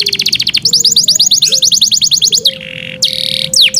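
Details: Caged Yorkshire canary in full song, pouring out rapid even trills of short chirps followed by a buzzy rattle, with a faint low steady tone beneath.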